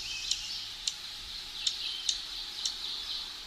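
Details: A Dark-eyed Junco on its breeding grounds in the high forest of the Great Smoky Mountains gives five sharp, high chips about half a second apart in its near-constant chip calling, over a steady high hiss.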